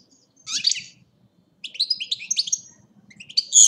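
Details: Goldfinch from Agrinio, Greece, delivering short bursts of bright, twittering song: a quick buzzy phrase, a silent gap, then a longer run of liquid chirps and trills ending in a sharp, high note.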